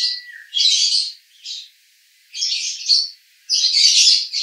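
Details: A male lovebird recorded in Cibinong, Bogor gives konslet-style song as separate bursts of scratchy, high chatter with short silent gaps, ending in a longer, louder rush of notes.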